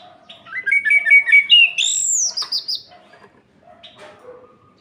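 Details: Orange-headed thrush night song meant to heat up other orange-headed thrushes: quick warbled notes lead into a loud, high, arching whistle that falls away, then softer scattered notes.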